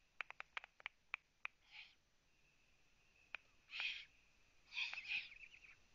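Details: Eurasian eagle-owl at a live-camera nest in Latvia, 9 June 2017 at 03:27, as prey is brought in: a run of sharp ticks, then several hoarse, hissing rasps, some paired, over a faint steady background tone.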